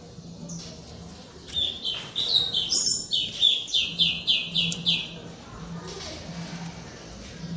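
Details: White-rumped shama song used as a lure to prompt silent shamas to sing: a run of quick, high, bright notes lasting about three seconds, over a low steady hum and background hiss.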